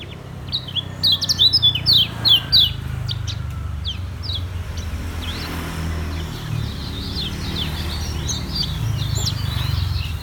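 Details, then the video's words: Caged Lombok yellow white-eye in ngejos song, opening with sharp, rapid, high chirps, then softer, scattered twittering over constant low noise. "SUARA KECIAL KUNING LOMBOK NGEJOS SELOW"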